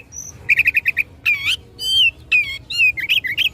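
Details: Fighting Oriental magpie-robin provoking a rival: opens with a rapid string of six short repeated notes, then sweeping slurred whistles rising and falling, and ends in quick mixed chips.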